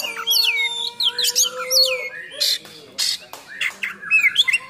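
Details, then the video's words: Oriental magpie-robin singing a rough, fully loaded song meant to provoke and train other magpie-robins: rapid whistled slurs and sweeps interspersed with harsh, buzzy bursts and scratchy notes, tightly packed across nearly five seconds, with a faint steady low tone beneath. "Kacer Gacor Full Nembak Isian Kasar Bikin Emosi Kacer mu"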